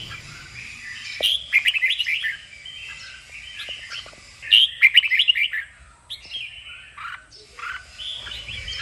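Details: Red-whiskered bulbul singing for song training and stimulation: repeated bursts of rapid, chirpy warbling separated by softer slurred notes, with a loud burst at mid-clip.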